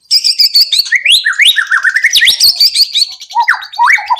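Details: Loud, varied white-rumped shama song meant to prompt other birds to sing: dense high chattering, zigzag whistled notes, and a few lower rising slurs near the end.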